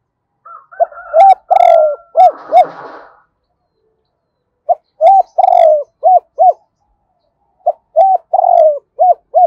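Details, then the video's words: A decoy spotted dove coos to call in a wild bird, giving double-voiced phrases that end in two notes. Three repeated phrases have a long falling middle coo and paired arched endings, with a soft rustle under the first phrase. "Chim Cu Mồi giọng đôi hai hậu gáy gọi bổi"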